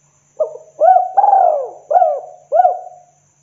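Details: Spotted dove lure call, 'kuk 2' style, used to call in other doves: one phrase of five mellow coos, a short note, a long drawn-out falling coo, then two arched notes, on a clean quiet background.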